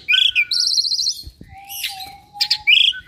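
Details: Kept Asian pied starling imitating other birds: a warbled chirp, a long buzzy high trill, a raspy burst, then a long low steady whistle ending in bright chirps.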